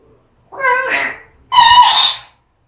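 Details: Pet African grey parrot indoors, said to be very angry: two harsh, strained vocal outbursts, each under a second, nasal and voice-like with a rising then falling pitch, separated by a short silence.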